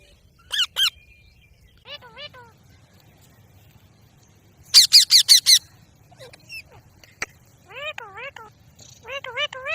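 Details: Ring-necked parakeet giving harsh, ringing squawks with rising-falling notes, delivered singly and in quick bursts, including a rapid run of five loud shrieks midway, over a faint low background hum.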